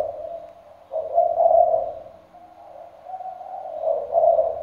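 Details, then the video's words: Decoy spotted dove cooing: a faint low note, then two louder hoarse, throaty coos separated by a softer murmuring stretch. "cu gáy giọng sấm đồng, đủ bài bản (gáy, gù suốt ngày đêm)"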